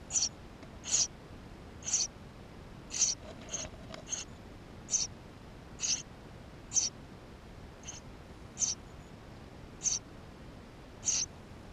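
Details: Eurasian tree sparrow nestlings inside the nest, filmed on GoPro on 28 May 2016: thin, high squeaky notes, one roughly every second, each short and sharp, over a quiet hiss.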